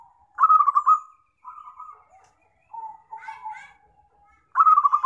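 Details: Zebra dove call used as a trapping lure: loud, rapidly pulsed, purring coo phrases, followed by softer lower trailing coos and a final strong pulsed phrase, against a quiet background.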